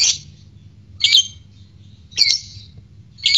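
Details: Lovebird used as a lure to provoke other lovebirds into their ngekek song: short, harsh, high squawking chirps, spaced about a second apart, over quiet background hum.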